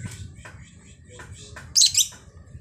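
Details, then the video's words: Female lovebird, described as very vocal and sweet-voiced. Faint chirps are followed by two loud, shrill, high chirps in quick succession near the end. "Burung LOVEBIRD Betina sangat gacor bunyi nya ||Merdu kali suaranya"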